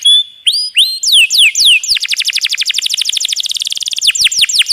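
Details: Canary song used to train songbirds, in the 'roll tembak' style with a water effect added: a few upslurred and downslurred whistles, then a long, rapid rolling trill of repeated notes.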